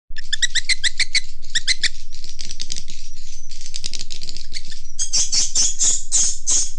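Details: Swiftlet lure call shared with swiftlet farmers to attract the birds: rapid bursts of sharp, high twittering chirps, repeated several times a second, with a denser, shriller trill in the final seconds.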